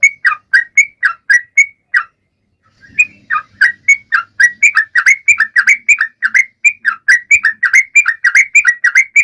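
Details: Sooty-headed bulbul in full song, used to stimulate other and silent birds to sing; rollicking whistled notes that pause briefly, then resume faster and denser, with faint low background noise.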